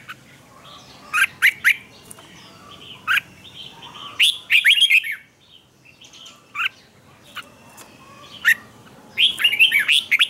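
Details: Red-whiskered bulbul in morning training song: short sharp whistled notes spaced irregularly, with several quick runs of bright warbled phrases, the last one fuller and closing the recording.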